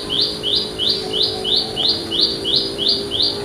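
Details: Loud call of a wild olive-backed tailorbird in countryside surroundings: short, high, buzzy upslurred notes in a fast, even series of about three per second, with a faint low hum beneath.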